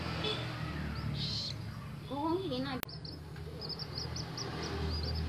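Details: Tame common moorhen chick giving short, high, rising peeps in loose bursts, with a low steady hum beneath, a brief human voice in the middle and a sharp click.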